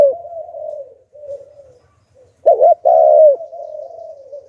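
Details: Spotted dove used as a lure for wild doves, Hạp Bổi voice: soft, trailing coos, then one loud burst of a short double coo and a long, mellow falling note, fading into quieter cooing.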